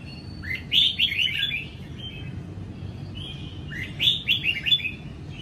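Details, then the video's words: Red-whiskered bulbul of the Sông Kon type, a kept wild-caught bird fresh from its moult, sings ché-style while sunning one morning in April 2022: two fast bursts of sweet, chattering, descending notes about three seconds apart. "Chào Mào Sông Kon Hót Ché Buổi Sáng"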